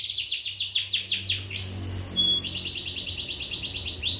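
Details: Canary in Bandung, Indonesia, singing hard in gacor style: a rolling high trill, two short pure whistles, then an even, rapid buzzy trill run, with low hum in the background.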